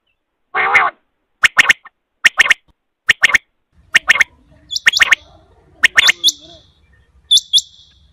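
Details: Rain quail (Coturnix coromandelica) call used for hunting: sharp, metallic paired notes, about one pair each second, after an opening harsh burst, over a faint low rumble.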